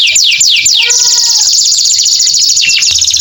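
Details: Canary singing a long 'gacor' song meant to coax silent, post-molt canaries back into song. A few slow downward-swooping whistles lead into a steady, very fast high trill that fills the rest of the passage.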